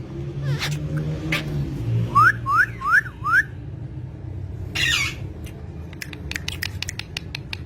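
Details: Green parrots kept as pets: four short upward-sweeping whistles in quick succession, then a harsh burst and a scatter of clicks, over a low background rumble.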